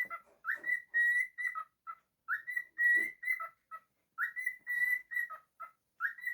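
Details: Singing pet cockatiel. Its whistled motif repeats roughly every two seconds: an upward slide, steady high tones and clipped lower blips. A few faint taps and rustles sound in the background.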